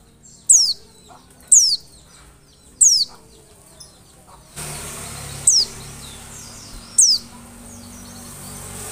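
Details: Oriental white-eye lure call. Three thin, high, downward-sliding notes come first. Then a hissing noise starts, and two more notes are heard through it.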